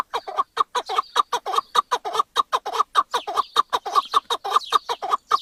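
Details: Steady, rhythmic chuk-chuk-chuk from a chukar partridge, about twenty evenly spaced hoarse notes over five seconds, keeping a regular beat throughout.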